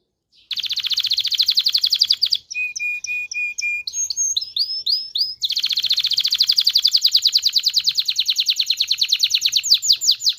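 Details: Canary song used to train males and females for mating: a fast trill, flat whistled notes and chips, then a long, rapid, rattling trill.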